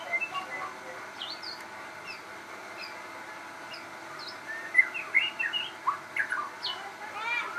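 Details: Persistent song of a crossbred shama: scattered high whistled notes and short sharp chips, growing livelier and more rapid in the second half.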